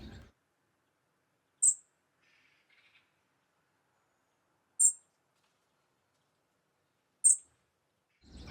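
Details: European robin tick call: three sharp, high ticks spaced about three seconds apart in near silence, with faint low sounds at the start and end.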